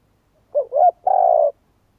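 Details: Spotted dove cooing: two short hoarse coos, then a longer burry, buzzy note held steady before stopping. The recording is clean, with no other sounds.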